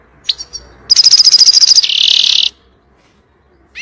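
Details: European goldfinch singing an intense 'fire' style song meant to teach young birds: a few short high notes, then a fast ringing trill that runs into a harsh buzzy stretch, followed by quiet and one last note.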